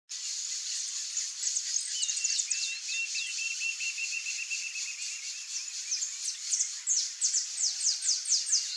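A flock of Brazilian teal gives high, thin whistles, some in quick rising series and one long wavering trill, over a steady hiss of insects.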